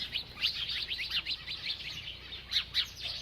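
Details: A bird eating and chirping: a dense, rapid chatter of high twittering notes runs almost without a break, with two louder sharp chirps near the end.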